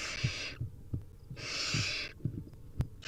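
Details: Two loud, rough hissing snores from hungry wild barn owl nestlings at feeding time, accompanied by dull thumps and scuffling in the nest.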